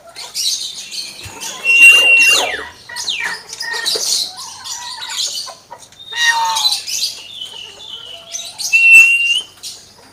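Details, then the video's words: Common hill myna kept as a pet, singing varied mimicry: bursts of harsh, noisy high squawks alternating with clear, sharp whistles that slide and hold, arriving in loud clusters roughly every two to three seconds. "BURUNG BEO SUARA AYAM"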